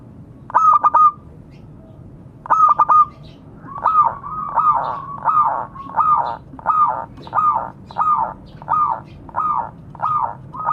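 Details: A local zebra dove calls to fellow doves. Two sharp bursts of quick staccato coos come first. Then a long, steady series of rounder, fuller notes repeats about twice each second.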